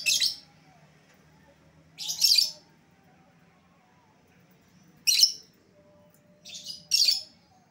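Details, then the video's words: Lure calls for an escaped lovebird: four loud, raspy, shrill screeches spaced a few seconds apart, one preceded by a softer short note. "suara pikat lovebird yang lepas"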